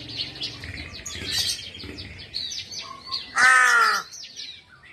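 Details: A crow's call, said in folk belief to carry news of a death: after scattered thin bird chirps comes one strong, rasping caw of under a second, then quieter chirping resumes.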